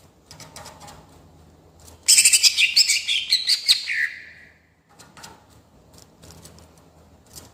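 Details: Greater green leafbird singing actively in rolling style, meant to provoke other birds: one loud two-second run of fast, tumbling chirps and trills dropping into a lower whistle, followed by faint background chirps.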